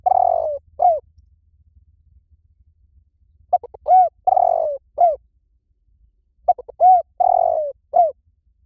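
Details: Liu tan style song of a spotted dove, used to coax trained doves into answering. Three repeated phrases, each with quick soft clicks, a drawn-out descending coo and a closing curved coo, spaced about three seconds apart in a quiet setting.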